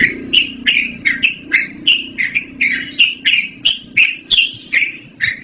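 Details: Continuous bubbly chattering song of a yellow-vented bulbul, kept for luring or as a tutor recording; clear liquid notes about three per second with a faint low hum beneath.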